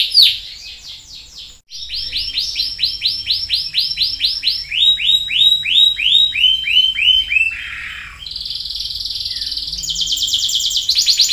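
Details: A canary starts softly, then delivers a run of clear, downward-slurred notes about four per second, slowing and dropping before a high, buzzy, rapid trill.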